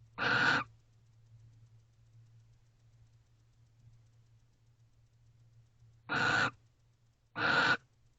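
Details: Two barn owls together in a nest box in the night, 3:19 am, 29 November 2023. One harsh hissing screech, a pause of about five seconds, then two more rasping hisses close together, with a faint low hum throughout.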